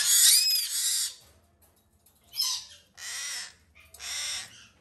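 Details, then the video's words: Hand-fed male White-bellied Caique (green-thighed) chick, fed three times a day, gives harsh, hissing rasps during feeding in four bursts, a long one then three shorter, each under a second, with quiet gaps between. "シロハラインコ グリーンタイツ 雛へのさし餌"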